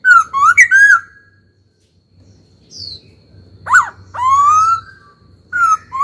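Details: Laughingthrush in song, a caged bird trained to sing: rich whistled phrases, a long gap, then a sharp slurred note followed by a sustained rising whistle and a final whistled phrase, with a faint low hum beneath.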